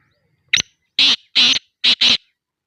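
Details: Kala teetar, the black francolin, in Sindh, Pakistan, giving its harsh rasping call: a sharp click-like opening note, then two loud grating notes, a short gap and a tight closing pair, all on a quiet background.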